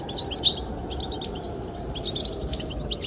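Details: Sparse goldfinch chirping in the wind. A twittered phrase opens, then after a quiet gap come a few clear, high, ringing notes.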